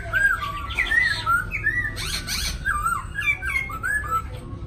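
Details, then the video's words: In Hanoi, Vietnam, one of two newly arrived caged black-throated laughingthrushes sings in the extended 'lai dai' style: rich, varied whistles and slurred loops, broken by harsher squawky bursts around the middle, all at a steady lively pace. "2 khướu mun mau mỏ đã hót lai dai đẹp"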